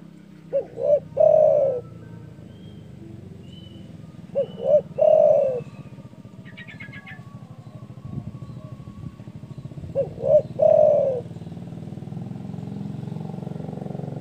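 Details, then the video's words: Spotted dove giving its loud, rival-provoking call: three phrases a few seconds apart, each with two short hoots and a long mellow coo. A steady low background hum runs throughout, with faint higher tones in between. "DERKUKU GACOR DOR SUARA BESAR MEMBUAT EMOSI LAWAN"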